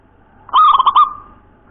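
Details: Wild local zebra dove, song style called nropel cowong gowong bening: one clear cooing phrase of about half a second, a soft run of quick rolling notes.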